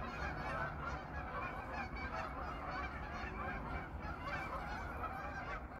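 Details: A large goose flock back on its pond for an autumn evening, keeping up an even, noisy stream of honking calls that blend into one chorus, over steady low background noise.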